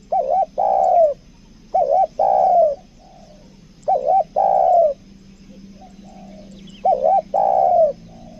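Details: Spotted dove kept as a decoy repeats its 'kuk dua' coo: a wavering short note then a prolonged falling one, four phrases with a pause in the middle.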